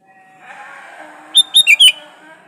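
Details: Sooty-headed bulbul in full song, an original recording with no other birds' songs mixed in, used to lure other bulbuls into singing: one quick bubbly phrase of four chirpy notes over a steady droning, harmonic background sound.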